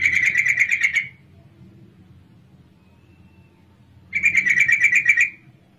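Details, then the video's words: Lure call of a female sooty-headed bulbul, meant to draw males into singing: two fast, scratchy chattering bursts about a second long each, separated by roughly three seconds of near silence with a low background hum. "pancingan trucukan betina sangat ampuh 99% ikut bunyi"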